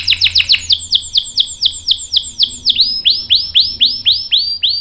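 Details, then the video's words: Singing canary with a long rolling song used to set other canaries singing: quick descending chips give way to slower, looping upward-arching whistles repeated roughly four times a second. "KENARI GACOR NGEROL panjang bagus untuk PANCINGAN dan MASTERAN biar ikut BUNYI | CANARY SINGING"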